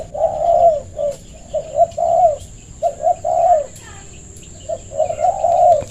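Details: Spotted dove, known locally as bangor, calling others to play: low, mellow coos in short runs of two or three notes with brief gaps between them. A steady faint high whine runs throughout.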